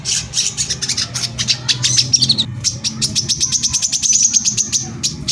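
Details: Brown-throated sunbird (korlap) singing in the tight, rapid-fire 'tembakan rapat' style to provoke other sunbirds: dense volleys of thin, very high ticking notes and sharp whistled trills, with a low hum behind.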